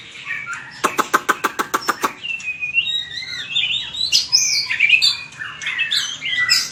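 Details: White-rumped shama, a kept bird trained for fighting song, gives a run of sharp evenly spaced clicks, then rich varied whistles and slurred warbling phrases climbing into high bright notes.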